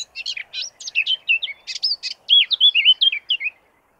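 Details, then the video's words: Eurasian blackcap sings a rapid, chattering, rhythmic warble breaking into clear, fluty, loud whistled notes toward the end, lasting about three and a half seconds. "LE CHANT DE LA FAUVETTE À TÊTE NOIRE / BLACKCAP SINGING"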